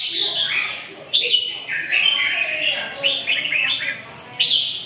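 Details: Red-whiskered bulbul song: bright warbled phrases of short rising and falling whistles, delivered in bursts with brief pauses, fairly continuous over a low background hum.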